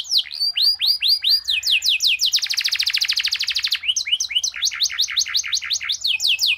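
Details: Canary singing a long, varied song with a unique style for use as a tutor: rapid series of swooping whistles, a sustained buzzy roll, then more fast rhythmic chirped phrases.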